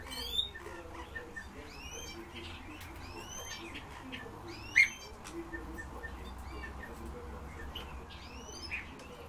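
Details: The owner's kept Eurasian bullfinches give soft, piping whistles that bend up and down, scattered among brief high chirps from several birds over a steady low hum.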